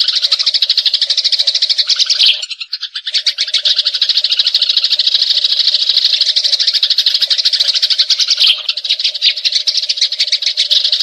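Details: Long rolling fighting chatter of a Eurasian tree sparrow, serving as tutor recording for magpie robins: eleven seconds of rapid, rattling, high chirps with short pauses near two and a half and eight and a half seconds; steady hum beneath.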